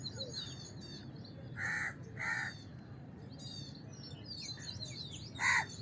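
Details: House crow calling with two rough caws close together, then a third after a pause, amid continual high-pitched twittering of small birds.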